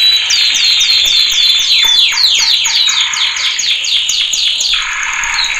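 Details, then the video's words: Male canary training song: a high rolling trill is broken by a series of deep-dropping swept notes, roughly four per second, ending in a lower buzzy trill. "Kanarya Eğitim Sesi Erkek / Kanarya Eğitim Ötüşü / Yüksek Kanarya Sesi"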